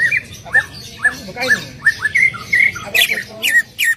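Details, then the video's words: Greater green leafbird song played to prompt another leafbird to sing: an irregular series of sharp downslurred whistles and harsher squawky notes, with some overlapping calls toward the end. "PANCINGAN CUCAK IJO AGAR BUNYI"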